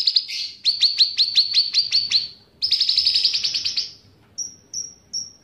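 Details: Cucak ranting bulbul singing actively with cicilin song: a long run of sharp high repeated chirps, a dense rapid trill, then three thin whistled notes spaced apart.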